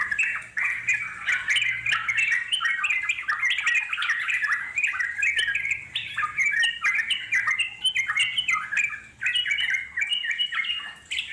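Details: Long chattering song from wild Yellow-vented Bulbuls: bubbly, slurred whistled phrases repeated rapidly for over ten seconds, several birds overlapping, with brief dips in between.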